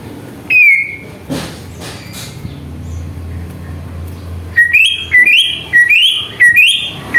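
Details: Greater green leafbird lure song meant to excite other birds into singing: one whistled note, a quiet stretch with low rumble, then a run of quick rising-and-falling whistles repeated about twice a second.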